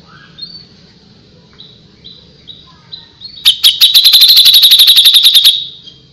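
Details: Grey-cheeked bulbul in song: short, spaced, thin whistled notes build into a long, loud, rapid chatter of high chips, about four a second for two seconds, then stop abruptly.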